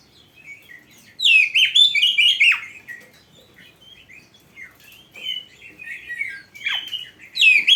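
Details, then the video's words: Oriental magpie-robin (kacer) song played for training novice birds: a loud tumbling run of varied chirps and whistles, followed by quieter scattered notes and renewed sweeping phrases near the end. "Masteran Burung Kacer yang cocok untuk Latihan"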